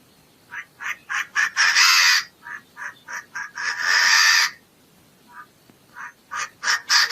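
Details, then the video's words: Chinese francolin giving harsh, rasping notes in quick rhythmic series, broken by two longer, louder grating bursts, with a faint background hiss. "Suab noog qaib qas qas qua zoo dib tuaj zoo heev"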